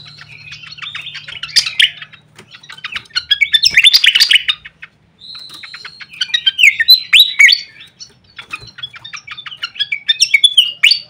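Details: Lure call of a fantail played for bird tutoring: repeated phrases of fast, tumbling chirps and sweeping whistles, several loud bursts with brief pauses between, and a faint low hum at the start.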